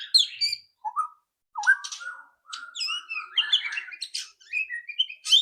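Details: Loud ketrekan song of a white-rumped shama, used to coax other birds into singing quickly. Varied phrases mix clear whistles and harsh rattles, broken by brief pauses, then a fast jumble of high, chattering notes.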